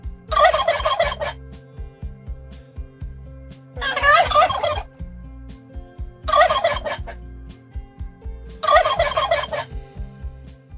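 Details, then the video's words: A turkey gobbles four times, each a rapid, rattling burst of about a second, repeated every two to three seconds over soft low music; finding: turkey. "Sonido del pavo . Turkey sound"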